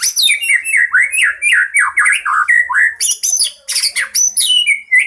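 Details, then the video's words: Fighting song of a white-rumped shama, full of borrowed phrases and meant for luring birds: dense stream of bright whistles and chattering notes, each falling from high to mid pitch, about four per second, with a brief pause midway. "Murai batu tarung full isian sangat cocok pikat burung cepat ngeplong dan gacor"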